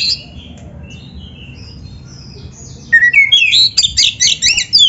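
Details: Oriental magpie-robin (kacer) in full song, a training master for beginner or reluctant singers; faint scattered whistles, then from the third second a loud run of rapid, varied, looping whistled phrases.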